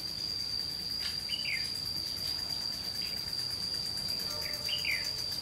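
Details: White-cheeked red-whiskered bulbul used as a trapping lure, fighting song aimed at the decoy: two short, quick, downward-slurred chirpy phrases about three seconds apart, with a steady high insect whine throughout.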